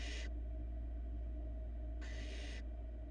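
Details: Barn owl nestling in Florida, watched by a nest camera as the youngest chick swallows a large rat; one harsh, broadband hissing burst is cut off at the start, then another full hiss lasting about half a second, over a steady low hum.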